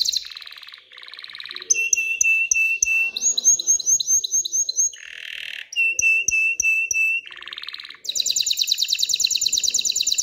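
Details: Aroused canary song meant to prompt females toward mating and nest building, a varied sequence of whistled tours: pure sustained notes, strings of repeated downslurred notes, a lower rattle, and a closing burst of rapid high trilling.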